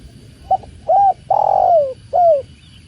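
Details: A tekukur, or spotted dove, gives one full phrase near water: a quick stammered note, a smooth arched coo, a drawn-out burry coo sliding downward, and a closing softer coo, with a constant watery rush underneath.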